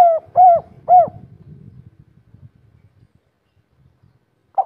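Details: Local spotted dove in 'kuk 3' style: three clear, hollow coos in quick succession, then low murmuring background noise and a final short coo.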